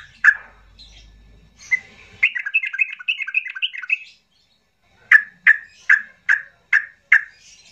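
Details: Yellow-vented bulbul agitated song used to goad silent birds into singing: a lively run of bubbly warbled notes, then a silent gap followed by six harsh clipped calls roughly every half second.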